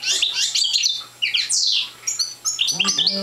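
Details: Young parva goldfinch still developing its song, delivering fast metallic twitters and a strong downslurred note, then scattered chirps, with a low harmonic sound near the end.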